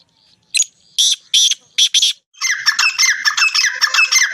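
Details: Black francolin in Punjab gives a phrase of loud, grating notes in rapid succession. It is followed by a busy, squawking chatter of repeated harsh notes that overlaps and ends the recording.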